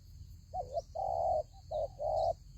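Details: Spotted dove serving as a lure bird in a trap, cooing in four clear, steady mid-pitched notes, a short double note then a long one repeated, over low background hum.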